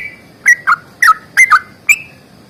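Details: Trucukan (yellow-vented bulbul) fighting-style phrase: six or so separate loud slurred notes, each falling then rising, spaced irregularly over two seconds, with a quiet background.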